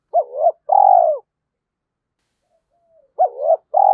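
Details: Decoy spotted dove singing to provoke fighting, trained daily; two low mellow coo phrases, each a short rising-falling note followed by a longer rolling coo, separated by silence.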